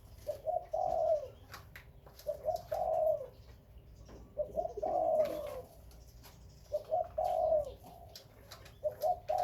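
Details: Spotted dove among captive breeding doves, cooing low and soft. Two-part coos repeat about every two seconds, a short note followed by a longer rolling one, with faint clicks and room sounds between.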